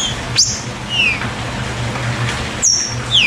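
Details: A green-winged saltator gives its rain (chuva) song, short clear whistled notes sliding downward in pitch about a second apart over a low steady hum, used to stimulate other saltators to sing.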